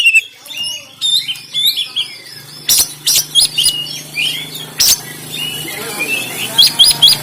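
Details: Kacer, oriental magpie-robin, from Banten in a rough 'tembakan' song recorded by phone: continuous varied whistles and twitters punctuated by regular sharp cracking notes, over a low steady hum.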